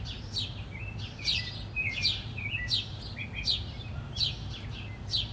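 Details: Fighting house sparrows give sharp, downward-sweeping chirps, roughly one every second, some doubled, over a steady low background hum.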